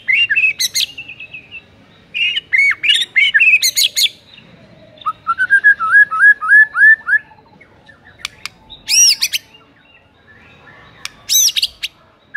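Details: White-rumped shama provocation song, played to goad a sluggish bird into singing with tight, rapid shots. Bright whistled flourishes, a bouncy series of rising-falling notes near five seconds, then sharp ringing bursts around nine and eleven seconds.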